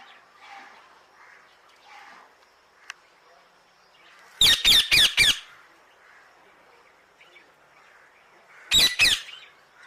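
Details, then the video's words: Parrot calling in two bursts: first four harsh, screeching squawks in quick succession, then after a pause a pair of similar grating screeches, over a soft background of distant chatter. "parrot sound"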